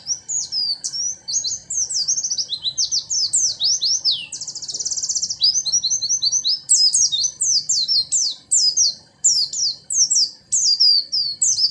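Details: Oriental white-eye, a kept bird singing an elaborate 'isian' fill-in song: long, loud unbroken chatter of high twittering notes, downslurred whistles and a brief buzzy burst near the middle, barely pausing.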